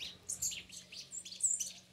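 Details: A feisty Ultramarine grosbeak (Cyanoloxia brissonii) sings a quick run of high, sweet warbled notes, with several bright phrases packed into two seconds over a faint low hum.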